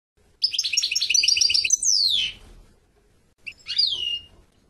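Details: Song of a European goldfinch: a fast run of bright, stuttering twitters that ends in a long falling slur, followed after a short gap by a second, briefer downslurred note.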